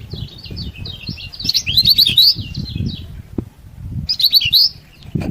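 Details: Yellow-bellied prinia in full song, used as a lure to rouse other prinias and stir rival arousal: rapid high twittering phrases in two bursts over a low rumbling background of handling or wind noise.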